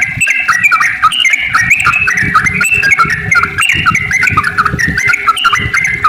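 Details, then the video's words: A yellow-vented bulbul's lively song, meant to set other bulbuls singing, pours out in a stream of chattering, whistled notes rolling up and down, with a constant low patter underneath. "trucukan gacor ropel panjang buat pancingan trucuk agar bunyi"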